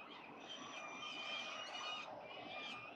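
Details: Wild peregrine falcons at a building nest during breakfast with small prey, October 22, 2022, captured by a nest camera; drawn-out, harsh, harmonic wailing calls held almost continuously, swelling and dipping, with faint background hiss.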